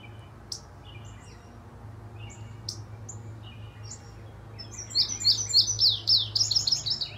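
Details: Singing indigo bunting, arrived this week and still mid-molt, gives a loud, fast series of high, sharp, doubled notes in the last two seconds. Scattered thin chirps come before it, over a steady low hum.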